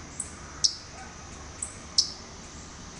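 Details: Probably a Louisiana waterthrush, one of at least two seen moving oddly across a front yard in Talking Rock, Georgia, gives sharp, high, metallic chip notes, about five in three seconds at an uneven pace, over soft steady hiss.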